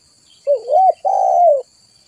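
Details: Spotted dove call for luring others of its kind: a single phrase of a quavering rising-falling coo followed straight away by a long, steady, slightly falling coo.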